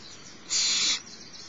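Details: Single drawn-out hissing screech from the littlest barn owlet at Starr Ranch as the female feeds it, about half a second long and steady in tone.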